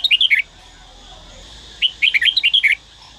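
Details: Trained red-whiskered bulbul from Dak Lak, Vietnam, sings two phrases: a brief cluster of four warbled whistles, then after a pause a longer run of about ten rapid, lilting whistled notes; light hiss throughout.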